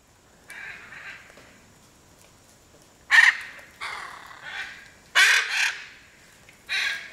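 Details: Hyacinth macaw at Piaui Cerrado Lodge, Brazil, giving loud harsh screeching calls, several sharp broadband squawks spaced a second or two apart, with softer raspy calls between them over a quiet background.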